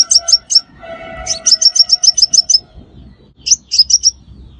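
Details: Trapping lure recording of a sunbird: quick strings of piercing high chirps, one longer run of about eight notes, then short clusters, over a faint steady hum.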